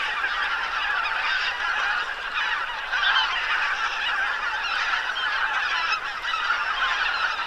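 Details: About 2,000 geese that had settled on the lake at the Ptasi Raj reserve in late autumn, recorded from a tower alongside roughly 1,500 ducks, call all at once: a dense, continuous wall of overlapping honks and yelping cackles with no gaps.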